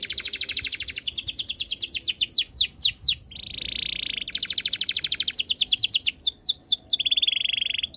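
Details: Canary singing a lively, varied song: dense rolling trills, rapid sweeping notes and steady buzzy tours switching every second or two, over a faint low background hum.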